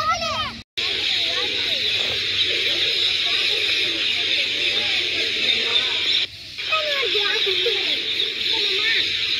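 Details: Early morning in big trees at Sri Chamundeswari Sugar Factory Quarters, a huge swarm of rose-ringed parakeets makes a constant, shrill wall of overlapping screeches and sharp chirps over lower chattering calls; they leave to feed and return in the evening.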